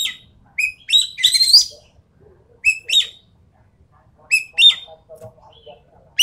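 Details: Sumatran treepie, endemic to Sumatra, recorded as a lure or tutor song: short rising whistles followed by harsh, rich chattering phrases, repeated in separate bursts with pauses and faint low background sounds between them.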